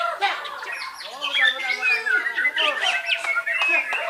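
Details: Song of a white-rumped shama from Belitung Island, Indonesia: fast, busy phrases of sharp sweeping notes, squawky chatter and high whistles, tightly packed with brief dips in loudness.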